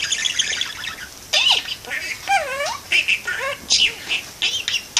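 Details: Window-perched pet parakeet talking: chattering mimicry with speech-like bursts and several bent, looping whistled syllables, interspersed with short squawks and gaps.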